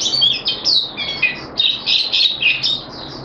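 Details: High, sweet twittering from a caged Malaysian Oriental white-eye, recorded 25 February 2023: short bursts of quick chirps about four per second, separated by brief gaps, thin and tinkling throughout.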